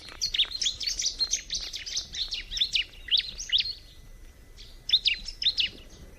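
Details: Bar-winged prinia pouring out a quick run of high, squeaky chirps and trills, pausing briefly, then adding a short closing phrase of sharp notes over mild background noise.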